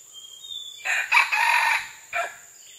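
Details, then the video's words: Red junglefowl crowing, recorded on June 12, 2011: one loud, raspy, strained crow lasts about a second and is followed by a short clipped final note. Faint high bird whistles come before it over a steady hiss. "Red Jungle Fowl"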